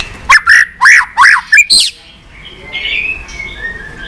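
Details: White-rumped shama song used to excite and train captive birds: five or six bright, slurred whistled notes in a quick cluster, followed by softer, thinner whistles trailing off in the background.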